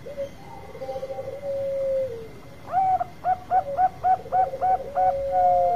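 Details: Bangkok-type zebra dove giving its long song, used as a lure to get other birds singing: an opening coo and drawn-out notes, then a rapid series of about eight short, bubbling coos ending in a long, level tone.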